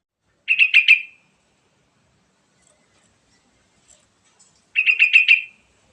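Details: Sooty-headed bulbul, whose song serves as a lure to make other birds sing: two matching bubbly phrases of five quick notes each, about four seconds apart, with silence between.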